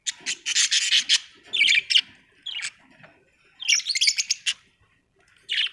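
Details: Several pet budgerigars indoors, giving fast, buzzy chattering phrases and sharp chirps in clusters, separated by brief gaps, bright and high with a little softer background twitter.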